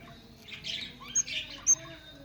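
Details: Captive budgerigars in a breeding setup give short buzzy, scratchy chatter bursts with a couple of sharp high squeaks over low background hum.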